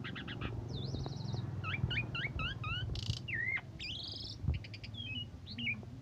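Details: Asian pied starling singing in morning and evening condition, a tutor recording said to provoke other birds: varied whistled slurs in quick sequence, a harsh buzzy burst, a rising trilled phrase and scattered chips over a low hum.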